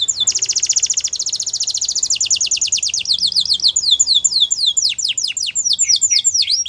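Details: Canary's powerful training song, a long unbroken run of rapid high whistled sweeps repeated many times a second, slowing toward the end into wider, looping downward notes.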